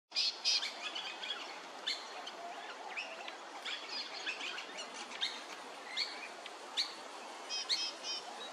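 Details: Pale-headed rosellas (Platycercus adscitus) at Hervey Bay, Queensland, give quick, high chirps and short metallic whistles in irregular bursts, several overlapping, over a steady background hiss.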